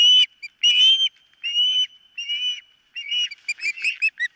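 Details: Whistled calls of an osprey at the nest, 4 September 2023, mid-morning, nest camera: two loud piping notes, softer drawn-out whistles, then a fast stuttering string of short chirps.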